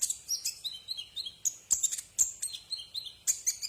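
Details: Brown-throated sunbird, known locally as kolibri ninja, singing on a tutor recording for cage birds: rapid high, thin chirps and short whistled slurs, roughly three to four notes a second, with sharp clicks between.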